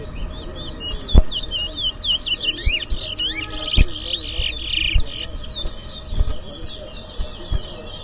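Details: Competition towa towa, the chestnut-bellied seed finch, singing at an inter-zone whistling contest in New Amsterdam, Guyana: a long run of quick, sharply slurred whistles rising and falling, densest mid-phrase, with occasional knocks and low background murmur.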